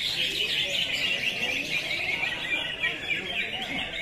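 Sooty-headed bulbul song: a dense, unbroken run of rapid high chattering and twittering notes, about three per second, with no pause across four seconds.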